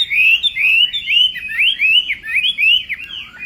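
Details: A contest-trained Chinese hwamei singing at morning training, pouring out a continuous chain of sweeping whistled notes, each bending up then dropping, repeated rapidly.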